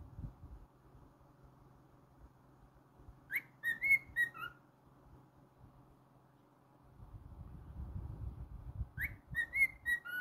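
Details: A pet cockatiel whistles two brief phrases of rising slurs and short tones separated by a long quiet stretch, with low room noise growing louder toward the end.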